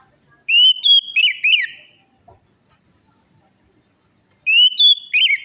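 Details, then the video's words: Orange-headed thrush lure song for stimulating a silent or stressed bird: two bursts of fluty, twisting whistled phrases separated by a roughly two-second silence. "pancingan Anis merah macet bunyi,males bunyi atau stres"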